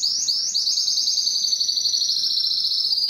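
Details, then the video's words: Canary song aimed at attracting females for breeding: a couple of quick swooping notes lead into one long, unbroken, high rolled trill sustained to the end. "canary singing is very strong and long to attract females for mating and breeding"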